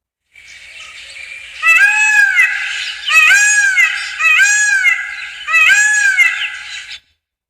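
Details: A male Indian peafowl (peacock) gives four loud, nasal, wailing screams about a second apart, each harsh and arching in pitch, with a faint background hiss.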